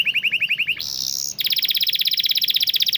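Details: Canary song for training reluctant or stalled canaries: a run of quick repeated high chirps, a brief buzzy burst, then a rapid, rhythmic high trill repeated steadily to the end.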